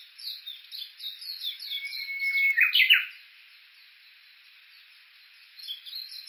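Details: Japanese bush warbler recorded on a walk at the foot of Mount Yakushi, Kuga, Suo-Oshima, Japan, with an Olympus Voice-Trek V-82: a long steady whistle, then a quick tumbling flourish, amid rapid high chirping from other birds.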